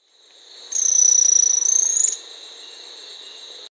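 Golden-crowned spadebill giving a very high, thin, buzzy trill lasting over a second and rising slightly at the end, over a steady drone of insects.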